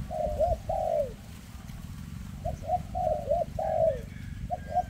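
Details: Spotted dove that has an unsteady leg, giving a thick 'rước' call: soft, rounded coo pairs, each phrase closing with a longer descending coo, repeated over a persistent low hum.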